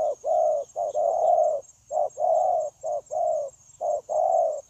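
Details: Caged spotted dove kept as a trapping decoy, cooing steadily and without pause, recorded 9 January 2024: low, mellow hooting notes in short phrases, about one per second, with brief gaps between groups; steady faint hiss behind.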